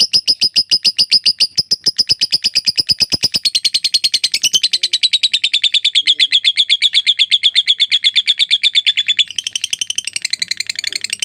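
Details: Long ngekek trill from a lovebird: a steady, high, rattling string of rapid pulses roughly 100 a minute, shifting pitch slightly midway and continuing unbroken for over ten seconds.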